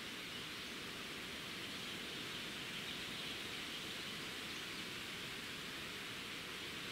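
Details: Even broadband hiss, like rushing water or wind, throughout.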